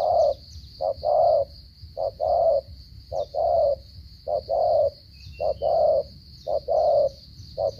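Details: Cà Mau spotted dove delivering 'gù cà lăm' stuttering coos: a steady run of about seven paired phrases, a brief clipped note then a longer resonant coo, roughly one phrase per second, over a constant thin high whine.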